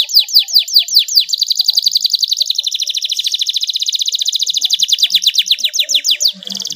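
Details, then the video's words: Canary in a long rolling song used as a lure to get reluctant canaries singing: a steady, rapid trill of clear repeated notes, a few slower sweeping notes at first, then a fast even roll lasting about five seconds. "KENARI GACOR ngeroll panjang cengkok mewah suara jernih buat pancingan kenari males bunyi"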